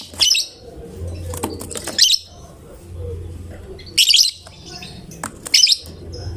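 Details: Gacor fighter lovebird that sets other lovebirds singing: four sharp, shrill, high-pitched chirp bursts spaced about one and a half to two seconds apart over a soft low background hum.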